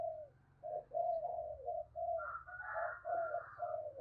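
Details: Spotted dove decoy of the deep 'thunder' voice style, calling to lure wild birds: continuous mellow coos overlap a second, higher warbling caller, over a low rumbling background.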